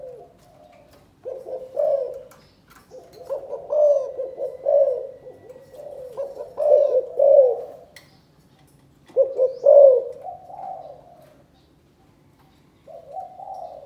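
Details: A spotted dove from Cần Thơ, Vietnam, repeats its chụp chụp ô calling coo about every three seconds. The low, hollow phrases start with choppy doubled notes and close on a drawn-out coo. Pauses are quiet.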